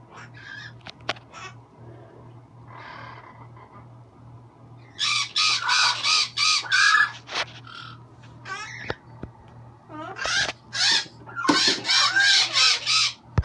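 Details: Pet green-winged macaw giving loud, raspy, grating squawks in rapid bursts of four to five, separated by quieter chatter and clicks, against a constant low electrical hum indoors.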